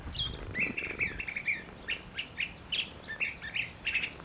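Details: Garden recording of a curve-billed thrasher singing, with a fast run of short, repeated chirping notes and slurred whistles, several phrases in quick succession over a faint background hum.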